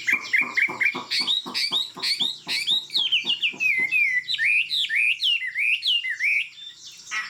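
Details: Tame Chinese hwamei with fig-leaf tail singing from a high perch, opening with a fast string of repeated short notes, then a flowing run of rising and falling whistles.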